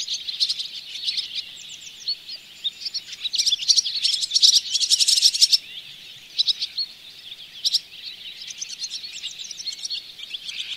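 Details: A Barn swallow twitters at Oostvaardersplassen, Netherlands, in September 2016, recorded from a bird hide. Fast, high chirps run together, with short buzzy bursts breaking in every couple of seconds.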